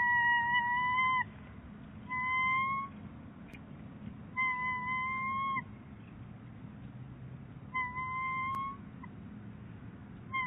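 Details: At Big Bear Lake, a bald eagle pair works on fluff brought to the nest by the male on 22 January 2018. Level, sustained whining notes about a second long, repeated at irregular gaps of one to two seconds, with constant low rumble.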